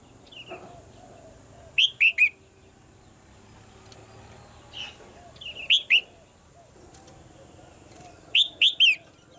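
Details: Red-whiskered bulbul female, kept caged, calling to push a male to sing harder: three bright three-note whistled phrases, each note sliding up and down. Faint softer whistles and a quiet hum fill the gaps.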